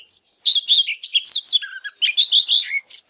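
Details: Oriental magpie-robin pouring out dense, rapid song of chattering whistles and sliding notes, a short low warble near the middle, phrases tumbling one after another without a break.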